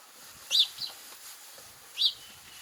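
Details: House sparrow giving two loud, sharp chirps about a second and a half apart, with a fainter chirp between them, over quiet background hiss.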